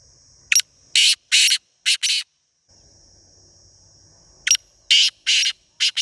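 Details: Wild black francolin (Teetar) in Pakistan giving its harsh call: a sharp click followed by four grating, buzzy bursts, the phrase repeated twice about four seconds apart, with a faint steady high hiss between phrases.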